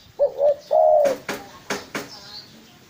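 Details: Spotted dove call used for luring: three low, soft cooing notes, the last one longest, followed by several sharp dry clicks.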